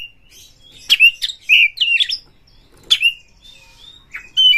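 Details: Oriental magpie-robin (kacer) singing energetically to lure and challenge a fighting rival: separate bursts of sharp, rising and falling whistles and scratchy chirps, with pauses between phrases, in a quiet room.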